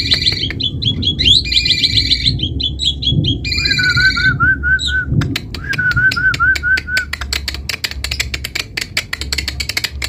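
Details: Asian pied starling singing energetically in gacor style. Buzzy high phrases and wavering whistled note runs come first, then a long stretch of rapid dry clicks and ticks repeated many times per second, over a low rumbling background.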